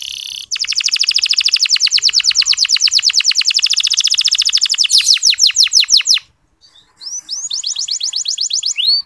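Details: Local canary master song to get less lively male canaries singing: a long, steady, rapid buzzy trill breaking into sharper chirps, a short silence, then quick rising notes again.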